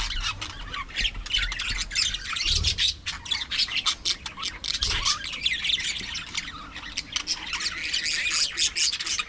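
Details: An aviary colony of budgies chatters busily. Many overlapping squeaky chirps and rasping warbles form a steady bright wash, with two short low thumps around the middle.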